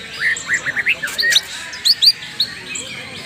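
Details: Greater green leafbird from Banyuwangi, sung with a rich 'isian' fill of varied phrases: quick run of short chirping, slurred notes rising and falling, then a few higher sharp whistled notes, with faint background hiss.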